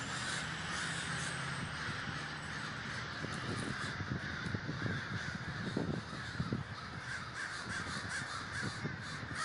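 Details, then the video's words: Large communal gathering of crows at Davis, California: a dense, continuous chorus of overlapping harsh caws from many birds at once, with no single voice standing out, over steady low rumbling background noise. "The Great Gathering of Crows"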